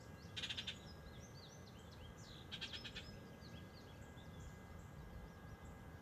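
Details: Bald eagles at a nest on 20 May 2024, with both adults visiting to deliver fish and feed two eaglets: two short bursts of rapid high piping chitters, over steady low rumbling background noise and faint chirps of other birds.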